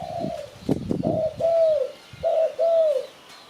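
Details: Spotted dove call from Malaysia, used as a lure for catching birds: soft, low coos in paired phrases, the later notes drawn out and slightly falling, after some rustling at the start.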